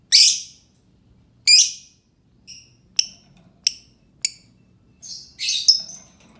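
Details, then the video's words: Lovebird song meant to prompt other lovebirds to sing: widely spaced, very high, harsh chirps and clicks with pauses between, ending in a cluster of squeaky twittering notes. "Suara Pancingan Lovebird"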